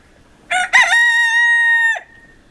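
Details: Crow of a Pavlovskaya rooster, Barnaul in the Siberian Altai, winter, November 28, 2015: two short harsh notes, then a long, steady, held tone of over a second that drops off sharply. Quiet background.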